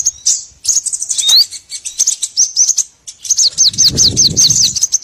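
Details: High twittering chirps from small birds, ending in a fast series of sharp descending notes over low rustling; a lure for trapping small birds of every kind.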